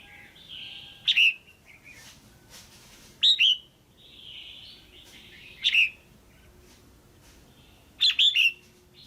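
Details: Female red-whiskered bulbul in a cage, calling to rouse a male or to pair, gives four loud double chirps roughly every two seconds, linked by quieter whistled phrases.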